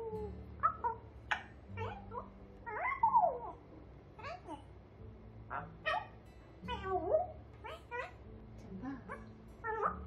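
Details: Pet grey parrot talking indoors, repeating affectionate phrases like kissing words and 'so pretty': a string of short voice-like syllables, squeaky whistled inflections and clicks, with a low steady hum in the room throughout.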